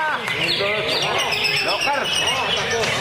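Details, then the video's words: Caged greater green leafbird kept in a lovebird cage, singing in the dense, filled ngentrok style: rapid looping whistles and warbled arcs running continuously without a break. "Cucak Ijo Kandang Lovebird Ngentrok Full Isian, Nembak Rapet Geter Geter"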